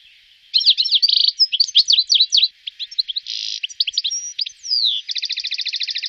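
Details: European goldfinch in Wittlich, 2018: lively twittering of varied chirps and liquid notes, interrupted by two short nasal buzzes and ending in a fast, even rattling trill.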